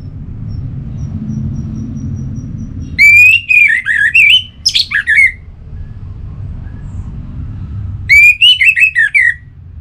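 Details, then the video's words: An orange-headed thrush sings two bursts of loud, varied whistled phrases, rich and tumbling, separated by a few seconds' pause over a steady low hum. "Anis Merah Gacorr Untuk Pancinggan Burung Punglor Jadi NGeplong Bahkan Teler Kalau Jantan"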